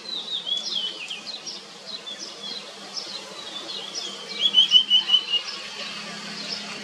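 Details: While a parent feeds them, common iora nestlings give thin, high chips and squeaky notes, then a quick run of five bright cheeps near the end, over a faint low hum; Common iora.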